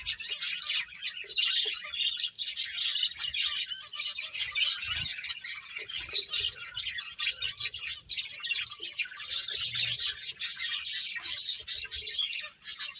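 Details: A flock of finches twitters continuously while eating, dense high chirps layered throughout, with occasional faint low knocks and a short pause at the very end.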